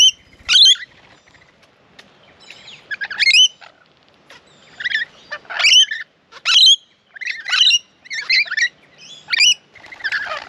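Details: Rainbow lorikeets at a backyard bird bath in Australia, many birds queuing to drink, give harsh, shrill screeches in short bursts, about one per second, several calling back and forth.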